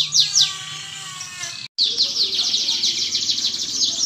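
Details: Canary giving two sharp downslurred notes, then a brief drop-out, then a fast buzzy high trill, played as a lure to spur caged canaries into song; low hum underneath.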